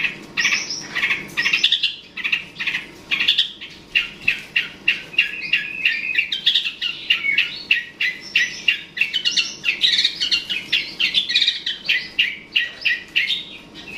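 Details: Long-tailed shrike, cendet or pentet, calling to provoke a rival: a long, busy sequence of rapid varied chirps, rasps and mimic-like notes running for fourteen seconds.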